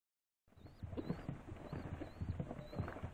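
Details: Rock doves giving low, throaty coos in short pulses, several overlapping, with a thin wavering squeak repeating high above.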